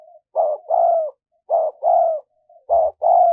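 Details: Cooing of a spotted dove, used as a lure for wild doves: hoarse, low two-note phrases, a clipped first coo then a drawn-out falling second, given three times in steady succession over a quiet background.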